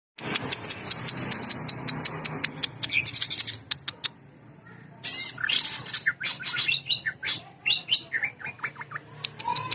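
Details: Greater green leafbird delivering its sewing-machine filler: high warbled phrases, then rows of sharp rapid clicks, a pause near four seconds, and a fresh burst of tumbling chirps and ticks to the end.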